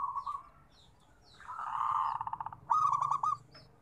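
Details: Zebra dove, a local perkutut, heard in a therapy recording: a soft coo, a pause, then a long blurred purring note breaking into pulses, ending with a crisp stuttered trill.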